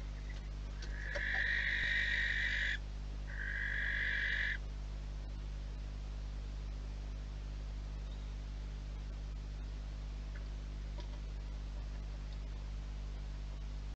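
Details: Two barn owls fighting at the entrance tray of a nest box: two harsh, hissing screeches, each about one and a half seconds long, in quick succession. A quiet stretch follows over a steady low electrical hum.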